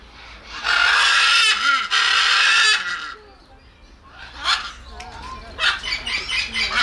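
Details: Macaw, a large South American parrot with a very loud voice, giving two long harsh broadband screeches of about a second each, followed by quieter scattered squawks and chatter.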